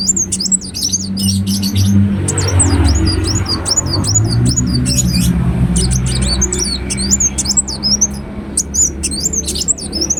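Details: Ruby-cheeked sunbird singing gacor as a lure sound: a fast, continuous run of very high, thin zigzag notes, set over a steady low rumbling hum in the background.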